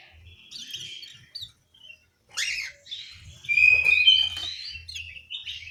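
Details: Orange-headed thrush in an aviary in Malang, East Java, giving short broken phrases of scratchy chirps separated by pauses, ending in a louder clear whistled trill, with soft low thumps behind.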